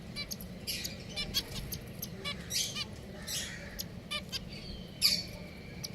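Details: Pet finches calling: short, high chirps and brief buzzy notes repeated irregularly, some in quick pairs, over a steady low background hum.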